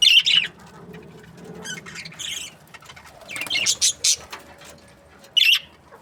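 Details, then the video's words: Budgerigars in breeding pairs give high, clipped chirps in scattered groups over a faint low background murmur, with a final isolated chirp. "Budgies parrot chirping sounds | breeding pairs"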